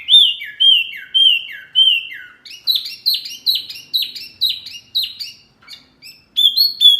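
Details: Masteran recording for caged birds: four loud, clean descending whistles, then a quick run of buzzy chattering notes, a short gap and two final bright whistled phrases.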